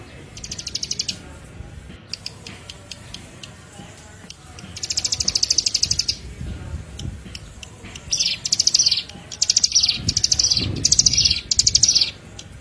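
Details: Ciblek, the Bar-winged Prinia, singing a lure recording: high, rapid buzzy trilled bursts, some longer and some short, grouped in runs separated by quieter gaps, with faint low background noise.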